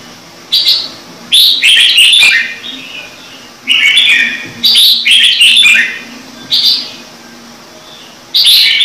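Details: Red-whiskered bulbul singing in a standard voice, used to get wild-caught birds singing. Irregular short bursts of bright, high whistles and chirps recur every second or two across the recording.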